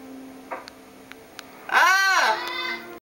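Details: Two pet birds calling to each other indoors; a loud, harmonic, arching squawk rises and falls over about a second, after scattered faint clicks and a steady background hum.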